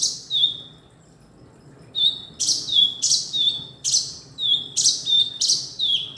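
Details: A male Golden-bellied Gerygone (Gerygone sulphurea) calls with high, sharp, down-slurred notes, about three a second after a short pause, against a quiet background.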